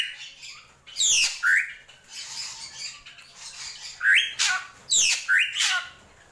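A drongo gives loud, harsh squawks and fast sweeping whistles in uneven bursts, several notes a second, with quieter chattering between.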